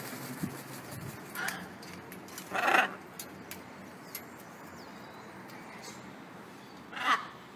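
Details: Wild blue-and-yellow macaws coming to a feeding spot, two short harsh squawks several seconds apart over a low outdoor hiss, with faint clicks and knocks.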